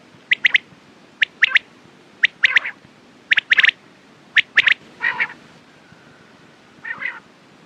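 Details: Rhythmic quail triplets, bright sharp notes delivered in quick groups of two or three, followed by two harsh rasping calls and fading quiet.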